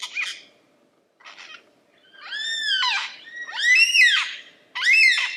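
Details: Singing lyrebird giving harsh, raspy calls and long arched, harmonic-rich cries, three loud drawn-out squalls about a second apart after brief rough opening notes, faint hum beneath.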